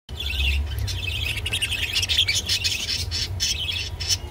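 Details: Rainbow budgerigar chattering while eating water spinach (kolmi shak): a busy, scratchy warble of rapid chirps and squawky notes runs almost without a break, with a steady low hum underneath.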